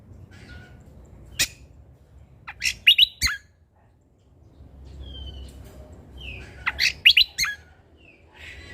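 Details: Sumatran leafbird in energetic song filled with natural sounds: two short clusters of sharp, high chirps and clicking notes, separated by a quiet gap with faint background hum.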